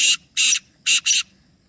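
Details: Harsh call of a black francolin, one of a group of three: four loud, rough, hissing notes, the first two spaced apart, the last two tightly paired, in otherwise quiet surroundings.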